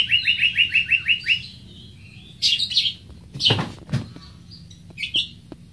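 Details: Greater green leafbird (Chloropsis sonnerati) song opening with a fast string of about seven identical bright chips, then a pause, a few twittering notes, two dull knocks and a final short whistle.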